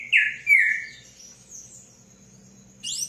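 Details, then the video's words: Palm tanager singing: two loud squeaky slurred notes, then quieter high thin notes and a sustained faint tone, ending with a short burst of rising chirps. "SANHAÇO-DO-COQUEIRO CANTANDO MUITO!"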